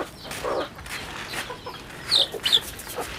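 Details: Chicks on a rural chicken farm: a few short, high, thin peeps around the two-and-a-half-second mark, preceded by soft low clucking and a quiet farmyard background.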